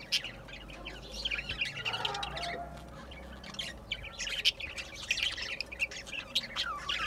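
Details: Budgerigars chattering in a steady warble of quick, scratchy chirps and squawks, densely overlapping and mid-to-high pitched, with a faint low hum underneath.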